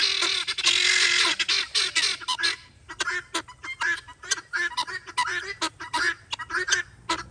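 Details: Free-range guineafowl, in their typical daily behaviour, give harsh, grating, rasping calls in quick, uneven bursts, about one or two a second, with several birds calling over one another.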